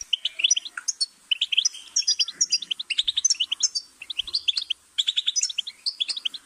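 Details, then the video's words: Goldfinch singing a rapid, continuous jumble of bright, tinkling twitters and short buzzy trills, high-pitched and pouring on without pause. "Goldfinch's Singing"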